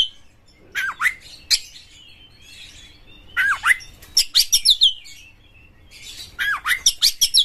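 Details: White-rumped shama kept as a lure bird, singing sharp down-slurred whistles and quick rattling bursts of clipped notes, with quiet gaps between phrases.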